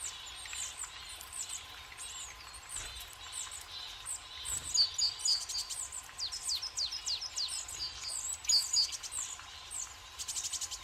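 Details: Several tits visiting a forest feeder stocked with sunflower seeds on a warm, bright winter day; a busy stream of thin, high, rapid chirps and short downslurred notes overlaps, with a few sharper, louder twitters near the middle and end.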